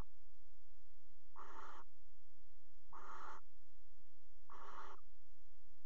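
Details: Barn owls pairing on the rim of a nest box in Axel's water tower on 5 February 2018; three rasping hissed screeches spaced roughly one and a half seconds apart, with a faint background hum.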